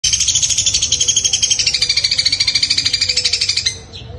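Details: Long-tailed shrike in a fighting style, with a sparrow-like voice: a fast, buzzy chatter of harsh repeated notes, about three per second, held for nearly four seconds before it stops abruptly.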